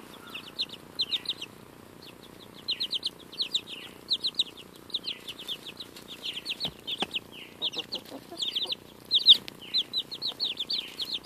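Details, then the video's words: Several young chicks nearly two weeks old eat a strawberry, calling in quick clusters of shrill, falling peeps separated by brief gaps, with occasional faint clicks of pecking. "Adorable Baby Chicks Eat a Strawberry!"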